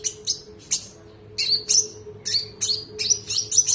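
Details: An Indonesian konin songbird used as a training bird. Separate sharp high tweets quicken into a fast run of bright chirps near the end, with a low droning hum behind.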